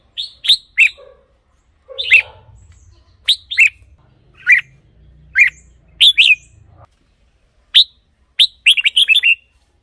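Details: Red-whiskered bulbul song used to stir up caged birds: short whistled notes and chirps, spaced unevenly, ending in a fast warbled phrase, with a faint low hum partway through.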